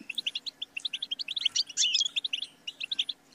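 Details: European goldfinch singing on a recording used to train songbirds: tinkling chirps in rapid sequence, a burst of buzzy, jangly notes near the middle, then more quick bright twitters; faint hum underneath.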